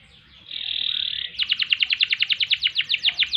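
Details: Singing canary, a recording meant for tutoring and provoking other birds: a steady sustained whistled tone, then a quick series of sharp repeated chips at roughly four per second.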